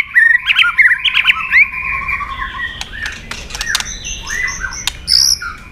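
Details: White-rumped shama giving fighting song used for training other shamas, with tail-flicking clicks; varied whistled phrases and warbles followed by sharp clicking sounds and scattered notes.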